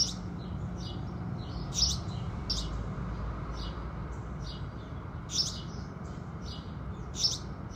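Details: House sparrows singing at sunrise in the morning: sparse, bright chirps, some faint, with louder ones near two, five and seven seconds, over a steady low rumble.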